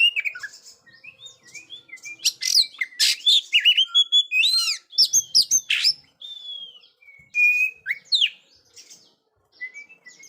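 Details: Energetic Oriental magpie-robin song for teaching silent young birds to sing: dense, fast mix of shrill whistles, clicks and swooping slurred phrases, then sparser bright notes trailing off toward the end.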